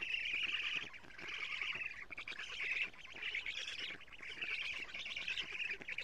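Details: Wheezy, rapidly pulsed chattering in bursts of about a second from black stork nestlings at an Estonian nest camera, June 14, 2017, early morning, while their mother delivers a large load of lampreys.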